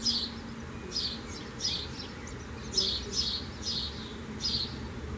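Common swifts give high, shrill screaming bursts, each about half a second long, repeated roughly every half to one second over a low background rumble.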